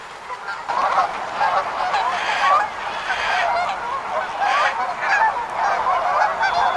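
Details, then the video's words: Flock of wild geese honking together, a dense overlapping chorus of nasal honks that starts after a short quiet moment and stays loud and continuous to the end. "Sounds of a Flock of Wild Geese"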